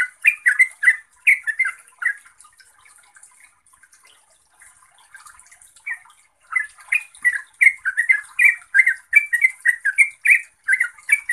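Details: Yellow-vented bulbul, known in Java as trucuk, singing in energetic gacor style: bursts of short chattering, slurred notes, a near-silent gap with faint notes midway, then rapid bubbling phrases resuming.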